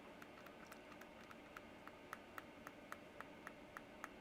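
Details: Soft keyboard tapping repeats at an uneven pace over a steady hiss, with no animal sound present.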